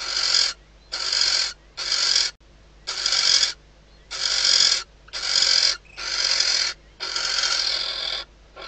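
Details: Female barn owl inside a nest box at Riet Vell Nature Reserve, Ebro Delta, at night a few days before the first chick hatches, calling as the male lands outside before mating: eight harsh, hissing screeches about half a second each, near one per second.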